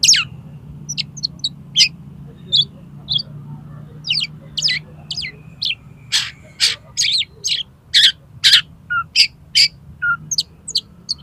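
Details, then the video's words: Oriental magpie-robin konslet song, a lure to make another magpie-robin open its tail: a long run of sharp, clipped high notes and chips, steadily quickening into a rapid rattling sequence, over a low background hum. "CUKUP 3 MENIT BIKIN KACER MAU BUKA EKOR PAKAI SUARA KACER KONSLET INI"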